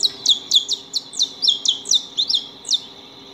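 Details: Saffron finches (Sicalis flaveola) eating at a house give bright, high chirps that drop sharply in pitch, about a dozen in three seconds at an uneven pace, over a quiet background.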